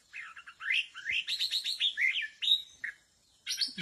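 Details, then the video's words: Decoy song of the white-rumped shama, set out in a bamboo forest to attract birds. A fast, rich run of rising whistles and chirps flows almost nonstop, then pauses before a final burst of notes. "pasang pikat murai batu di hutan bambu"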